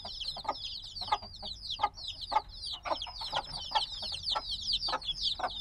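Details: Many black baby chicks, hatched a few days earlier and still needing warmth, chirp noisily together: dense overlapping high descending peeps in a continuous chorus, with short broadband taps or scratches scattered throughout.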